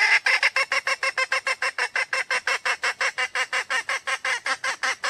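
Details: Red junglefowl hen in the wild gives a long unbroken series of rapid, harsh clucking cackles, about three per second, loud and steady throughout.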